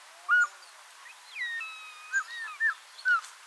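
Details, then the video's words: Short-toed Snake Eagle calling: clear whistled notes around mid pitch, some long level tones and short upslurred or down-curving yelps, several spaced over a few seconds against steady background hiss. "Biancone - Circaetus Gallicus"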